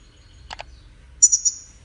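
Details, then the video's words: A singing goldfinch gives a brief song fragment: two quick dry notes followed by three very high, thin, rapid twittering notes. "Goldfinch Singing"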